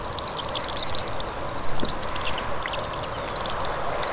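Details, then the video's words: Steady, rapid, insect-like buzzing reel of a common grasshopper warbler, high and even in pitch and continuous from start to finish. "Common Grasshopper Warbler Call"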